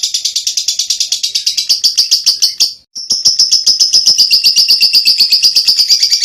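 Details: Lovebird ngekek chatter intended as master song for training songbirds: very fast, high, rasping notes at about four per second, a brief break near the third second, then the same rattling stream resumes strongly.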